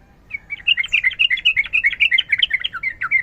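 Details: Sooty-headed bulbul, described as calling in fighting form and as a female calling a male, giving a fast continuous chatter of bubbly, warbled notes around three per second, with low background hum.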